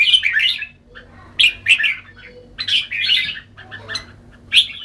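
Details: Red-whiskered bulbul giving short burry warbled phrases separated by brief pauses, each a cluster of fluty chirps, over a faint low hum.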